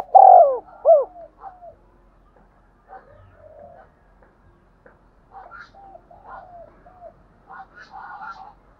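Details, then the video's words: Spotted dove giving the 'thúc gù' urging coo, a style for stimulating decoy doves. A loud opening phrase of short descending coos, then faint, scattered twittering and soft notes from other birds. "cu gáy thúc gù// tiếng cu thúc gù hay dùng kích bổi hiệu quả"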